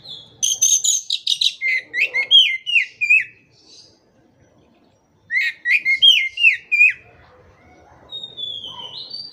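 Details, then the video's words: Oriental magpie-robin (kacer) training song for birds that have gone quiet: long fast phrases of high chips and loud falling whistles, a silent gap of about two seconds, then a similar phrase and a soft upward glide. "KACER MACET TOTAL pasti akan PULIH dan NYAUT dengan dimasteri kacer ini"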